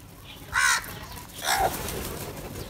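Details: Two short, hoarse crow caws about a second apart, the second lower and falling, over a murmuring background as crows fight over food.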